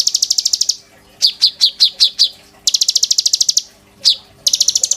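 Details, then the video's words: An oriental magpie-robin, caged and in strong song in the bowing style, kept as a tutor for white-rumped shamas. Fast rattling trills alternate with slower loud piercing whistled notes. "BURUNG KONIN GACOR.GURU POKAL MURAI BATU GAYA SUJUD"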